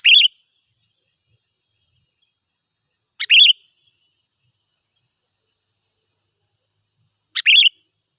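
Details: Sooty-headed bulbul singing energetically as a lure for wild birds: a short bubbly whistled phrase repeated three times, roughly every four seconds, over a thin steady high hum.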